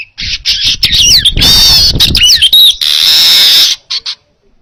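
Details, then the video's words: Baya weaver song used as a training recording for cage birds: stuttering buzzy notes, swooping squeaks and a long loud sizzling wheeze, with some low rumbling noise underneath. "Masteran Suara Burung Manyar Gacor Jernih"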